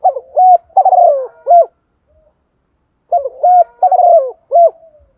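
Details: Lure recording of a female spotted dove: two bursts of coos, each with a short note, a longer throaty falling coo and a clipped final note, separated by a brief silence.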